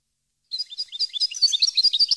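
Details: European goldfinch singing a jumbled stream of high liquid twitters and tinkling notes that grow louder toward the end. The song is meant for training captive birds.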